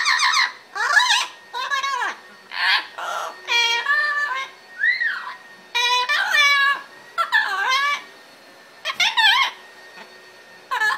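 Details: Pet male Magna double yellow-headed amazon parrot singing happily indoors after his bath, a busy run of loud, harmonic squawks, whistles and chattering notes with sliding pitches, broken by short pauses, in a small room.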